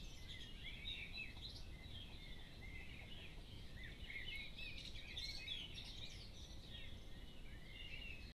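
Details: Birds in a Cambridgeshire, UK dawn chorus at 4am on 10 June 2015, a steady mix of distant chirps, twitters and short trills from many singers, partly buried under constant low rumbling background noise.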